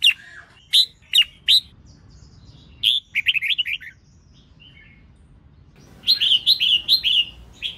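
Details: Female red-whiskered bulbul singing to stir males into song: a few loud chirps, a brief warbled run, a pause, then a lively burst of rapid twittering notes.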